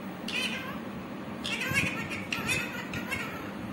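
A green parrot gives about six short, nasal, meow-like talking calls, mid to high in pitch, spaced under a second apart, over a low background hum.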